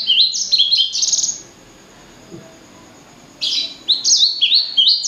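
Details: Blacksang, a hybrid from a blackthroat and a sanger, sings two bursts of quick, high, down-slurred chirps separated by roughly two seconds of near silence.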